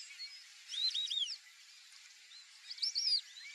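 Brazilian teal giving two quick bursts of thin, high whistled notes that slide up and down, about two seconds apart. Faint background chirps are also heard.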